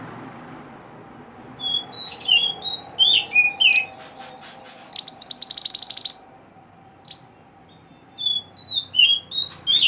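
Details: Actively singing mantenan, a mountain bird, recorded to tutor caged songbirds: scattered high whistled slurs, then a fast buzzy rattle of repeated notes, a lone chirp, and a new series of rising and falling whistles.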